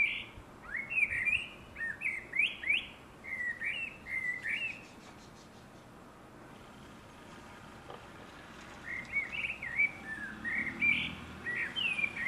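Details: Common blackbird (Turdus merula), song.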